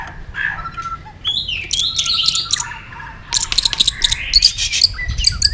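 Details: White-rumped shama in competitive singing, flicking its tail while singing: a rich mix of whistled phrases and sharp chattering notes, mostly high-pitched, with brief gaps and some background rustle.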